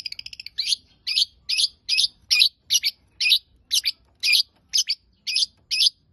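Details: Long-tailed shrike singing: a quick ticking burst, then a steady series of harsh, high buzzy chirps repeated about twice per second.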